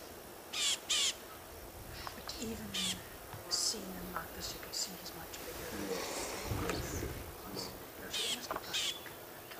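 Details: A Rattling cisticola (Cisticola chiniana) gives alarm calls at a leopard on a sunrise safari drive, 14 August 2016. It produces harsh, buzzy, high scolding bursts, a handful spaced irregularly over ten seconds, while a man talks quietly throughout.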